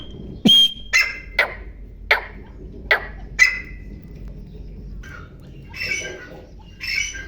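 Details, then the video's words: Grey francolin, wild, giving a short run of five harsh, ringing calls with a whistled edge, roughly one every half second, followed by softer rustling and faint breathy sounds. "گورے تیتر کی آواز"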